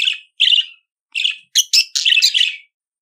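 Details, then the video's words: Budgerigar chatter: rasping chirps, then a fast run of harsh, metallic squawks and warbles. "CANTO DO PERIQUITO AUSTRALIANO"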